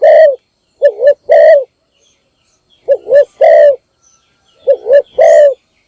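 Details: Decoy spotted dove calling in the morning to draw wild doves: three loud phrases, each a couple of short wobbly coos ending in a longer mellow coo, with quiet gaps.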